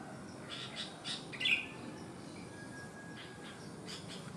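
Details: Sooty-headed bulbul with one malformed leg, singing actively. A short whistled note stands out briefly amid soft tapping sounds and broad background hiss.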